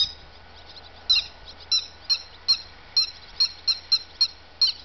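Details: Grey-headed lapwing uttering spaced, piercing squeaky notes, mostly singles and an occasional close pair, roughly two per second, with a quiet background hum.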